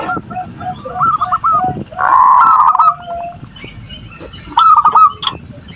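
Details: Perkutut or zebra dove singing manggung-style, meant to bait an opponent's emotions and arousal: short groups of rolling, looping coos separated by pauses, overlapped at times by a harsh droning tone and faint clicks.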